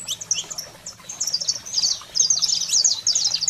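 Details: Saffron finch in a fiery wild-type song used to stimulate and fire up pet canaries: high, bright chirps run in quick uneven bursts, thickening into a dense chattering stream in the second half, over a faint low steady hum.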